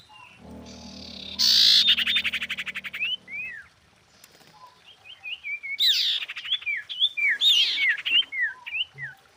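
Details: Female common iora calling a male, a lure recording: a harsh, rapid buzzy rattle followed by a lively run of short slurred whistled chirps, with a low hum underneath at the start.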